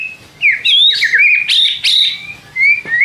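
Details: Caged white-rumped shama singing a bait song to trigger replies from other shamas: fluid whistled warbles jumping between pitches, with a brief pause and a closing rising whistle.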